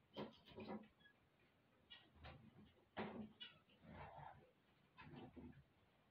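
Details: Zebra finches singing on waking in the morning: nasal, buzzy, toy-trumpet notes in short rasping bursts, clustered every second or so against a quiet, slightly muffled background.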